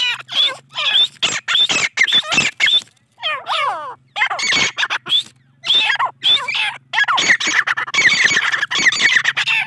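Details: Captive grey francolin chicks, a cross between a Deccani female and an Iranian male, give harsh, squawking calls in quick bursts. Bursts are separated by short pauses, over a steady low electrical hum.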